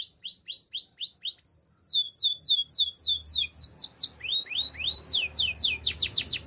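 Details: Canary, described as a Spanish timbrado, sings fast, bright rolling trills of repeated down-slurred notes, shifting pitch and pace through the phrase, over a faint low hum; finding: Belgian canary.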